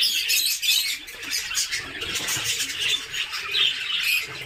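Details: A flock of Australian budgerigars in a colony setup in Assam, India chatters with dense, high warbles and chirps overlapping without pause.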